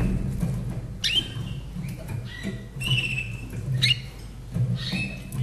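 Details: Slavujar canary in Austria, a caged bird dating from 2011, delivers upward-sweeping whistles and a long clear falling note in short phrases, with constant low-pitched background hum.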